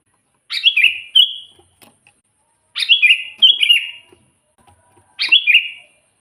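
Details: Sooty-headed bulbul singing persistently, for drawing wild bulbuls near: four liquid phrases in three bursts, with a quick doubled phrase in the middle, each a high note slipping into a lower bubbly whistle.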